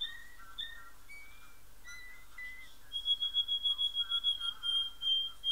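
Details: Domestic canary singing indoors: a few separate whistled phrases at shifting pitches, then a loud rolling trill of rapid pulsed notes in the second half.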